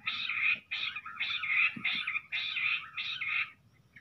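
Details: Jungle bush quail drawn to a played sound near a trap net, giving harsh, buzzy chattering bursts, about six in four seconds, mid-to-high pitched and fairly even, over faint low background noise.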